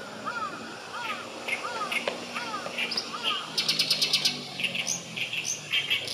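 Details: Oriental reed warbler singing at Kanai retention basin, Japan, on 6 June 2020: harsh, grating repeated phrases, chattering notes and buzzy clicks, with other bird calls in the background.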